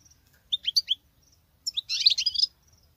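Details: European goldfinch female singing in male style: a few quick chirping notes, a pause, then a dense, buzzy, tinkling twitter lasting under a second, high-pitched throughout, over a faint low hum.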